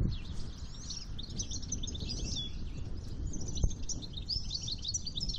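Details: European goldfinch male, campero, in breeding season with no mate, delivers a rapid liquid twittering run of high, jangling notes and short trills, with a sharp click midway and constant low-pitched background rumble.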